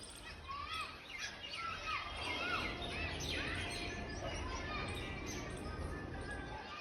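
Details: Birds chirping in the morning: several overlapping bright, rising chirps and short whistled notes in quick irregular succession, over a steady background hiss and low rumble, with a voice faintly present.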